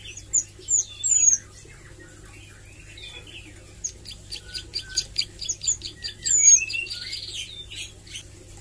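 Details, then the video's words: Juvenile Bar-winged Prinia (ciblek sawah) learning song, nglagu and nembak: varied thin slurred whistles first, then a quieter series of high chips and a buzzy trill near the end. "Suara Ciblek Sawah Belajar nglagu dan nembak"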